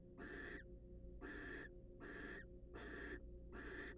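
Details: In a monitored nest box, wild barn owls preen and court while one gives five rough, hissing screeches, each about half a second long and evenly spaced, against a low background hum.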